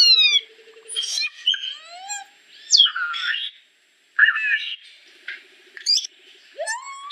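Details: Varied solitary cacique song mixing a soft low trill, harsh nasal slurs, rising mew-like whistles and scratchy chatter, broken by a short pause, then more burry notes and a final upward-sliding whistle.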